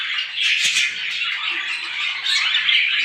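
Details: Morning chatter from a crowd of small birds: constant, overlapping squeaky chirps forming a steady high-pitched wash, with a brief louder flurry near the start.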